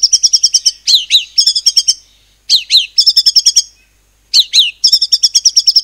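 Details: White-rumped shama from Cililin, Indonesia, 'nembak cungkok' style used to get other birds singing: bursts of rapid shrill chips, each opened by swooping upslurred notes, repeated in three loud bouts separated by short silences.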